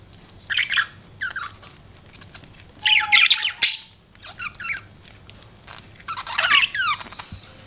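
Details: Pet budgie parrot producing separate bursts of squeaky chirps and chattering warbles, each about half a second to a second long, with quiet pauses between.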